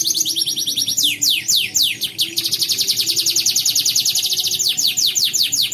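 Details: Canary in an online bird-singing competition, Pontianak, West Kalimantan: bursts of fast chopped trills alternate with slower descending whistled slides, the song high, loud and nearly continuous.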